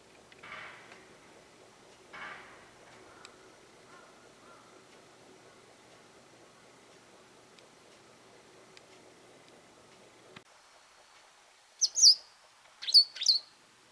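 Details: After a stretch of faint low rustling, a Japanese wagtail in a garden, possibly demanding something or claiming territory, bursts out with three loud, harsh, high chirps in close succession.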